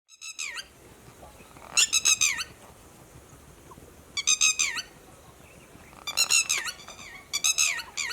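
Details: A red-wattled lapwing alarm-calling to its companions about human movement: a brief note, then four bursts of three to six sharp, shrill, strident notes about every two seconds.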